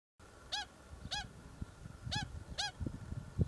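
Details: Native pied stilts, an at-risk species, from a colony that nested and raised chicks in the centre of a busy earthworks site on an expressway construction project in Hamilton, Waikato; four short yelping harmonic notes in two spaced pairs over low rumbling machinery noise.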